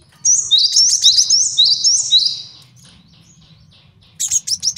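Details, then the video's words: A male cinereous tit delivers a two-second stream of rapid downslurred high notes, used to train birds and lure wild ones, then falls quiet before a short burst of chips. "MASTERAN GELATIK BATU JANTAN BAGUS BUAT MIKAT DAN MASTERAN BURUNG JAWARA"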